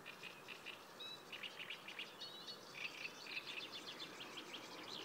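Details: Sedge warbler near the Kyjovka stream, Lanžhot, 15 May 2016, delivering quick runs of repeated chirping notes and rattling trills, rather faint against a hissy background.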